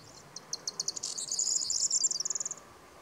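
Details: Corn bunting song, a short, often repeated motif with a rustling, crackling sound. Spaced high clicks accelerate into a loud, glassy, jangling trill, ending in a fast dry rattle. The background is quiet.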